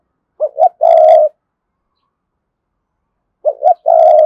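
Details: Cườm Sa spotted dove cooing as a lure for wild doves: two identical phrases three seconds apart, each two quick hollow notes followed by a long, harsh, sustained coo, with clean silence between.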